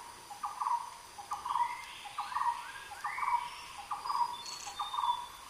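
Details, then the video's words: Red-headed trogon gives six soft, mellow, low notes in a steady series about one per second, with fainter higher bird calls and a thin insect hum behind. "红头咬鹃 RED HEADED TROGON CALL"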